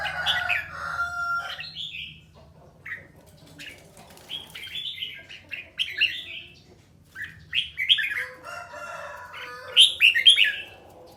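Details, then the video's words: Red-whiskered bulbul of the 'ché' type practising song in captivity, delivering repeated bright warbled phrases and chirps, growing louder toward the end, with a faint low hum early on. "Luyện giọng chào mào ché"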